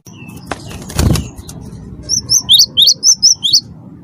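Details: Chattering cinereous tit, wingko type, singing to spur other birds on: a soft thump and rustle, then a quick series of about nine high, down-slurred two-part notes in the second half.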